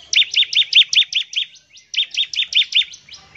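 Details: Bar-winged prinia song meant to draw other prinias into singing. Two quick runs of bright, upslurred chirps, six to seven notes each, ring out at an even pace, separated by a brief gap, over a clean background.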